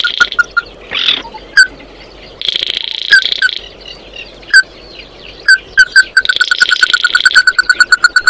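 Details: Oriental white-eye calling the flock, with scattered sharp chips between patches of high buzzy twitter, ending in a fast even series of short repeated notes.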